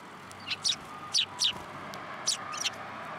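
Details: At Tenmangu shrine on 12 December 2022, sparrows come to a hand for food; bright, high chirps sound in pairs and singles, about six in three seconds, over a faint background hum.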